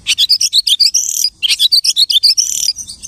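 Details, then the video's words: Imitating the songs of other birds, a lark delivers rapid, evenly spaced chirps and warbled whistles in two quick runs with a brief pause between them. "The lark imitates the singing of hundreds of birds."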